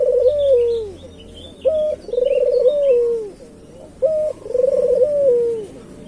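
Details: Island collared dove of the local type, used to lure other doves, repeats a three-part coo about every 2.4 seconds: a brief flat note, a rolling trill, then a long descending tail. Faint high chirps from other birds.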